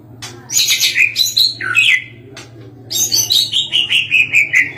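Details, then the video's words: A caged white-rumped shama, kept as a singing tutor, gives high bright chirps and buzzy trills, then a run of quick descending twittered notes, with a low hum underneath. "gantangan gacor petarung lenbut masteran burung"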